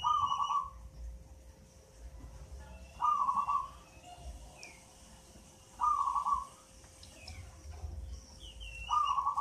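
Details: Local zebra dove aged eight months, taken from a nest in a mango tree and already a keen singer, repeats a fast, rippling coo phrase four times, roughly every three seconds, with faint twittering nearby.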